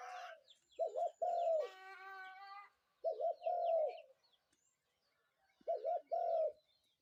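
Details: Morning call of a spotted dove: groups of two quick notes running into a longer coo, repeated several times with quiet gaps, while another bird gives a loud harmonic crowing note in between.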